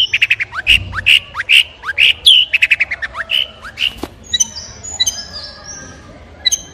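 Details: Long-tailed shrike pouring out loud, harsh chattering notes in a quick uneven series, then thinner high whistles and squeaks toward the end.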